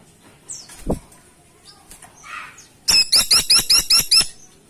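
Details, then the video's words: Freckle-breasted woodpecker (caladi tikotok), described as vocal and loud: after soft background chirps and a low thump, it gives a fast string of about seven sharp, high, metallic notes in quick succession. "Burung Platuk Caladi Gacor Ngeplong"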